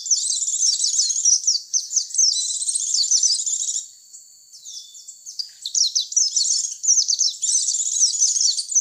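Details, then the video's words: Oriental white-eye lure call for attracting white-eyes: rapid high twittering bursts packed with sweeping chirps, broken by a brief thin whistle near the middle before the chatter resumes; clean, no other sounds. "Suara pikat pleci"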